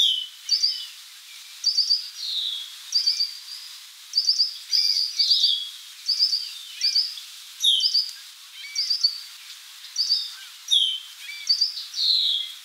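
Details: Resting worm-eating warbler, a shy ground-dwelling warbler kept hidden from view, giving steady high chips and short twittering bursts about once a second, with occasional lower slurred notes.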